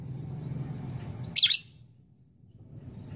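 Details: Lovebird, a female courting a male, giving one loud harsh rasping burst of about a quarter second, after faint repeated high chirps and a low steady hum; quiet follows.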